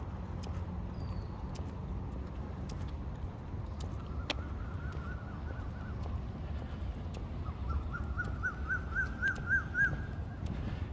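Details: Asian koel in Benjakitti Park, Bangkok, in the evening: a fast run of clear, rising notes that speeds up and climbs higher toward the end, over steady low rumbling and a few clicks.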